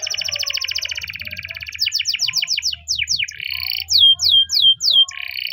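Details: Spanish timbrado canary singing its morning training song: a buzzy rattling trill, then quick falling chirps and a set of louder sweeping whistled notes, over a low background hum.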